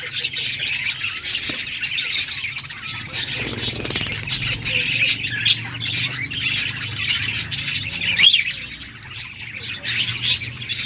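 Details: Budgerigars chirping and chattering, described as a happy pet singing; a dense, continuous stream of scratchy, squawky high warbles with brief whistled notes, no pauses across the whole stretch.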